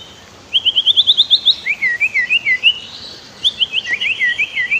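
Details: White-rumped shama master song for training other birds, with river sounds: rapid chains of rising slurred whistles, about six per second, shifting between higher and lower series, with faint very high ticks.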